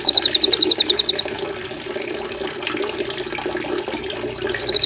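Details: White-rumped shama training recording with added water sound: fast trills of sharp, very high notes, about ten per second, open and close the passage, while steady rushing water runs throughout.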